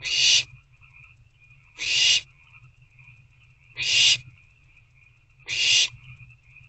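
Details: Begging owlets in an owl box after dark on 21 April 2024, with parent owls still bringing food. Four rasping, hiss-like screeches are spaced nearly two seconds apart over a thin steady high tone.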